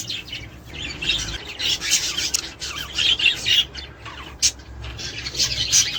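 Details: Australian budgerigars chattering, recording meant to stimulate mating, breeding and egg laying; busy mix of high rasping warbles, quick squeaks and clicks, rising and falling in loudness, with a low background hum.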